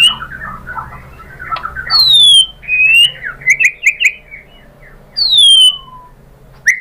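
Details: White-rumped shama lure song for setting other shamas singing: soft warbling opens, followed by loud clean whistles sliding downward, a quick cluster of rising chips, and more falling whistles.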